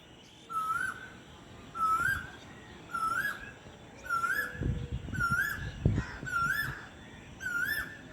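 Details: At sunset in spring, an Asian koel (Eudynamys scolopaceus) gives its clear, rising, whistled 'kuhu' call about every second, seven times in a row, over low rumbling background noise.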